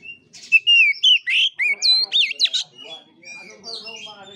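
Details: Oriental magpie-robin singing the fighting style called kura kura: a thin opening whistle, then a fast series of loud, looping, sharply swooping whistled notes, fading into soft twittering.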